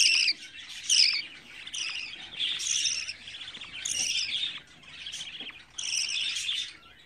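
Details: Raspy, buzzy calls from 24-day-old budgerigar chicks come in uneven bursts, some louder and harsher, with quieter scratchy chatter between them.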